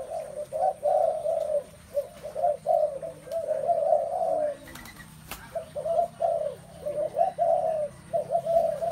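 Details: Nearly continuous spotted dove cooing with overlapping phrases of warm, low notes and a single brief lull. A soft background hum is also present.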